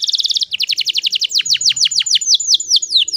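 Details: Song of a female canary, used to lure males into singing: a rapid rolling trill, then a string of loud downslurred whistled notes repeated in quick succession with slight changes, clean and free of other sounds.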